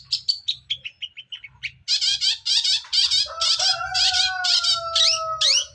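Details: Long-tailed shrike, a young forest bird, in nonstop ngacor song: a descending series of thin high notes, then dense harsh scratchy bursts over a long steady whistled tone held for about two seconds.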